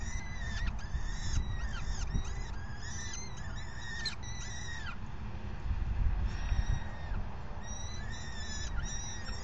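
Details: Falcon at the nest on May 9, 2020, during the fifth feeding around 4:40 PM: rapid series of high, wavering, squealing calls, dense for the first five seconds, then a pause and sparser thin cries, with low rumbling noise throughout.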